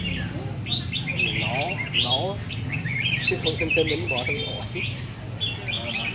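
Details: Caged red-whiskered bulbuls at a singing competition give rapid, warbling, bouncy phrases with trilled notes, several birds answering each other, over faint talk and crowd murmur.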